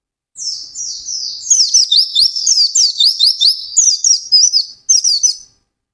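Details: Intensely singing white-eye, ngalas style: a high sliding whistle opens, then a fast stream of thin upward-flicking chirps, broken by two brief pauses near the end.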